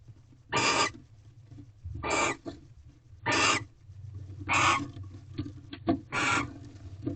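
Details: Nighttime barn owls in a nest box on the second night of mating, 18 February 2023, when a mouse is delivered; five coarse, noisy hisses at uneven gaps of about one and a half seconds, with light clicks between.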